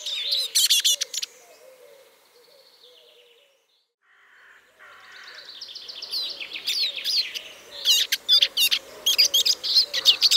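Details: Eurasian siskin twittering briefly, falling quiet, then resuming with a rising run of rapid chattering high notes and sharp clicks, a low background murmur present.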